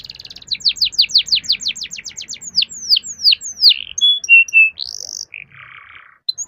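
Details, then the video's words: Canary in full, energetic song, used to spur other canaries into singing. A long, rapid series of descending sweep notes gradually slows down, then shifts to clear whistles and a buzzy phrase. "Kenari Gacor Roll Panjang || Pancingan Kenari agar cepat bunyi"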